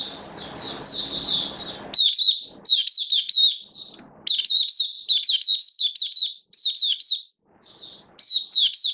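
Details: Oriental white-eye (mata puteh) in build-up form, hobby bird, 19 September 2022: a noisy opening, then sustained high, rapid twittering song in near-continuous runs of sharp chirps with only brief breaks.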